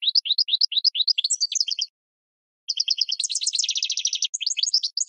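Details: Goldfinch song for training cage birds: a phrase of rising chirps, a gap of under a second, then a faster stretch with a rapid buzzy trill of repeated notes and further twittering.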